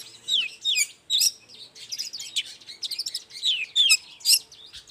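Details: Morning song of a long-tailed shrike meant to provoke other shrikes into answering: a scratchy, chattering medley with descending whistled slurs and rasping notes, fairly continuous.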